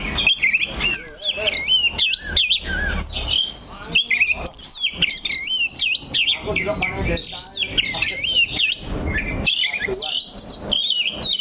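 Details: Caged Oriental magpie-robin holding one perch and delivering a rapid, unbroken stream of twisting whistles, trills and clipped chirps, high and bright throughout, with faint speech in the background.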